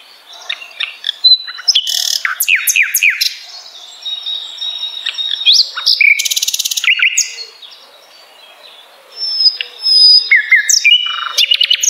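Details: Extended common nightingale song for tutoring shamas: cascades of sharp descending notes, sustained high whistles, a dry rattling trill around six seconds, and further loud chattering phrases after a short pause.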